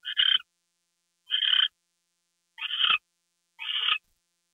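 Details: Owl at night during a gopher delivery, 2 February 2013 at 10:43 PM: four harsh, hissing, raspy bursts, each about half a second long, spaced a little over a second apart, with no other sounds.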